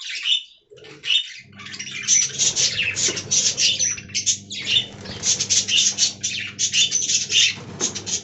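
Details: Budgerigars in an aviary chatter in rhythmic pulses of bright chirps and short whistles, roughly several per second, after a brief pause at the start; a steady low hum runs underneath.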